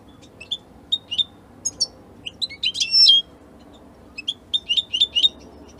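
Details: Song of an Italian European goldfinch: sparse, separate high tweets, a short loud cluster of sharp twittering notes midway, then more spaced chirps, with a faint low hum behind.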